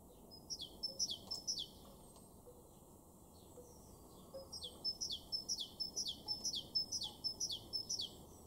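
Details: Great tit singing in a garden in Weener, East Frisia, far northwest Germany, April 2023: high, sharp two-note phrases with a downward sweep, repeated about twice a second in two bouts, with a quiet pause between them.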